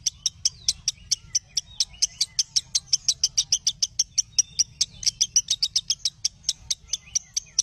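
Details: Lovebird song for training other lovebirds: steady stream of sharp, very high ticking chirps, several per second, occasional faint whistled slurs, soft low hum beneath.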